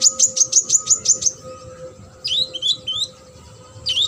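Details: Song of a brown-throated sunbird, used to tutor competition birds. Opens with a steady run of about seven high, downslurred chirps, then a pause, then twisting, warbled notes, and a final chirp, over a faint steady hum.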